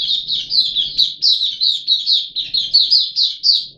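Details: Puff-backed bulbul kept in a cage, recorded 14 July 2021 on the third day of a deworming course: a loud, steady string of about fifteen high, down-slurred chirps in under four seconds, with little background.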